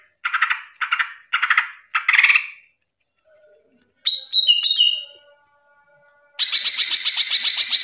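A green leafbird sings a varied phrase: four quick buzzy chattering bursts, then high whistled falling notes, ending in a fast, dense trill.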